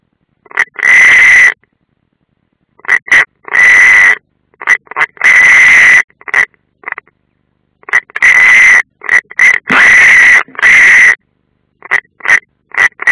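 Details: European rollers at a nest in the Ādaži training ground, Latvia, 30 June 2016, with an unringed bird present, filmed by a live nest camera: harsh rasping calls in short bursts and longer drawn-out rattles, separated by silent gaps.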